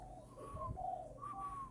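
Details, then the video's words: Young spotted dove in Ba Vì, Hanoi, Vietnam, its voice newly broken and under training: a short burst of mellow low coos overlapped by a clear, drawn-out higher whistled tone, with background hum. "chim vỡ tiếng chuẩn bị lên khách ngày 10 /11"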